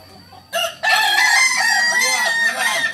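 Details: A Kukuak Balenggek cock from Solok opens with a short sharp note, then delivers a loud, sustained, bright crow with wavering stepped pitch that runs over two seconds without pause.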